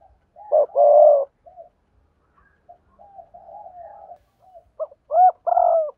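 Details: Spotted dove recording used to call in wild doves, combining sa thúc, gù and gáy styles. A hooked note and a long burred coo are followed by soft low murmurs, then a sharper rising double note and another long coo.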